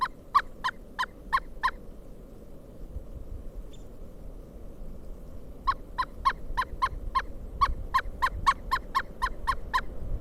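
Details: A Pileated Woodpecker at a feeder in Kalamazoo, Michigan, during a December 2022 snowstorm gives loud, ringing wuk-wuk-wuk notes, about three a second, in two bursts with a pause between, over low wind.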